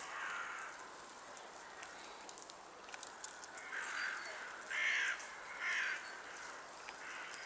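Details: A European green woodpecker (Picus viridis) in Tivoli Landscape Park, Ljubljana, Slovenia, on 23 January 2024, gives a few harsh, nasal calls about a second apart over a steady background hiss.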